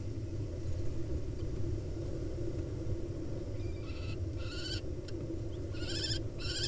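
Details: Female barn owl, wild, in a nest box in Israel, upset while a pair of kestrels perches outside; harsh, broadband hissing screeches in several bursts over low rumbling background noise.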